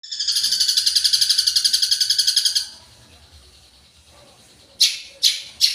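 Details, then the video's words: Long-tailed shrike singing energetically with a full mimicked 'isian' repertoire: a fast, even trill of high rattling notes for about two and a half seconds, a quiet pause, then three loud, harsh, scratchy bursts. "Suara Burung Cendet Gacor full Isian"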